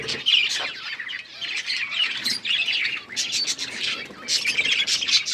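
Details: Budgerigars, kept as pets, chattering together: dense overlapping chirps and short squawks in bursts, with a brief dip in the middle and a loud flurry near the end.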